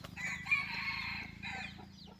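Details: Decoy rooster crowing: a drawn-out, hoarse crow held on a steady pitch for over a second, then a shorter trailing phrase, set against low background rumble.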